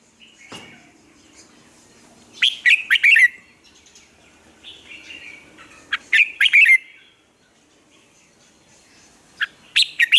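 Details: Red-whiskered bulbul singing, used as a training recording to coax caged birds into morning song; short bursts of loud, sharp chirped notes in quick clusters, with softer warbled phrases between and pauses of a few seconds.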